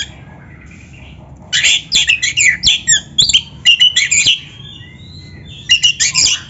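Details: Kacer magpie-robin singing as a training tutor for other birds: loud bursts of scratchy chattering and sharp notes for about three seconds, a soft whistled lull, then a brief final burst.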